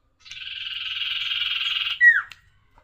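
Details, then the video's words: Tailorbird singing njoros style: one sustained buzzy trill lasting nearly two seconds, then an abrupt loud downslurred whistle note, in an otherwise quiet setting. "suara burung sirtu gacor njoros"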